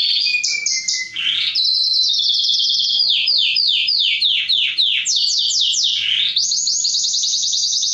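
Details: Male canary singing to stimulate females for mating: loud, continuous high song of rapid trills, descending sweeps repeated about three per second, and buzzy rolls, changing tour every second or two.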